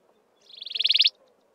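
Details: Wailing cisticola of the browner, heavier-billed maculatus subspecies at Mountain Zebra National Park gives a single high, rattling trill of about fourteen quick notes. It swells, then ends abruptly after about half a second, over quiet background.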